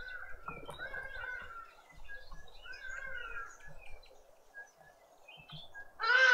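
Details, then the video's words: At a garden feeder in Pretoria, South Africa, Karoo thrushes give a run of soft, slurred mid-pitched notes. The notes fade midway, and a sudden harsh, loud rasp closes the sequence. "Karoo thrushes with an attitude"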